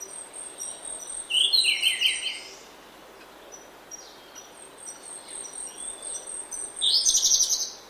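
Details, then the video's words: Grey-backed thrush singing prominently in oak woodland in early morning: two rich, warbling phrases about five seconds apart, with thin high whistles from other birds in the background. "Prominent Song From Grey-Backed Thrush"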